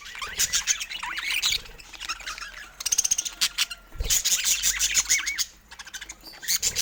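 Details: Pet budgerigars of rare colour mutations; busy warbling chatter of looping whistles, clicks and rapid ticking bursts, several birds calling over one another with brief pauses.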